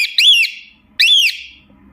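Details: Two loud, ringing cockatiel calls a second apart, each a sharply rising then falling whistled arch, given by a parrot calling for its companions.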